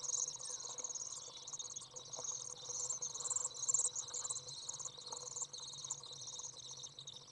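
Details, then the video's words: Young Common Swifts out of the nest, very warm 30 °C day on 27 June 2011, parent coming to feed: a steady, high-pitched, shimmering buzz of overlapping rapid trills with slight pulses throughout. "Common Swift young out of the nest, warm, feeding"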